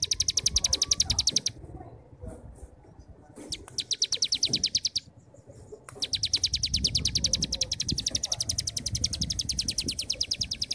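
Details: Starling in 'brem' song, used as a master to coax young birds into singing: long runs of rapid, high, evenly spaced buzzy chips, broken by two short pauses with faint clicks, then resuming strongly.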